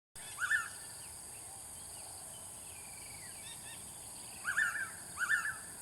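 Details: Blue-winged pitta calling: short clear double whistles, one near the start and two more close together near the end, over a steady high hiss and faint twittering of other birds.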